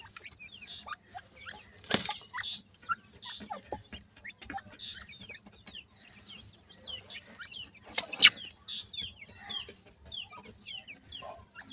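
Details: Grey francolin chicks in Pakistan give many short, high, hooked peeps in quick, uneven succession. Two loud broadband clicks and scattered handling knocks break through the chatter.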